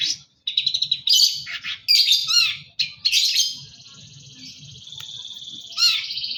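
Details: Long-tailed shrike in full lively song: rasping, buzzy chatter broken into bursts, with one long drawn harsh note and brief sharp squeaks, over a faint low hum.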